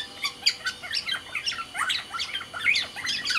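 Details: Kept black-naped oriole from Sumbawa in vigorous song: harsh, squawky slurred notes mixed with sharp chips, tumbling rapidly up and down in steady, dense phrases.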